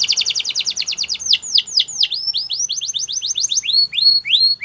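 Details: Canary training song: a quick pulsed trill leading into a series of swooping downward whistles and then repeated rising slurred notes about three per second.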